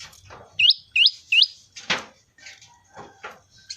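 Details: Prinia, locally called prenjak lumut, giving its typical 'ceng-ceng' sound: three quick, rising, whistled upslurs in a row, followed by clattering knocks and scattered faint chirps.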